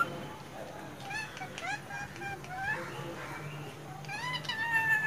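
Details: A female pet plum-headed parakeet talks in a series of squeaky, speech-like phrases that rise and fall in pitch, with a faint steady hum behind.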